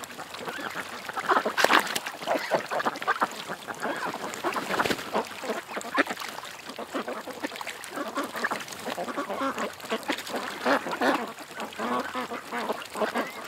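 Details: A flock of ducks at a creek keeps up dense, continuous nasal quacking and chatter. A short loud burst comes early, then a steady mix of overlapping calls follows.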